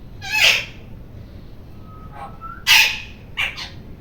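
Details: Rose-ringed parakeet screaming loudly: two harsh, broad screeches about two seconds apart, a faint thin whistle between them, and a weaker doubled screech at the end over steady background hiss.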